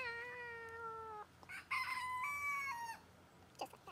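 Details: Rooster crowing near a goat pen during filming; a long strained crow with a held first note and a stepped, wavering second part, followed by faint clucks and rustling.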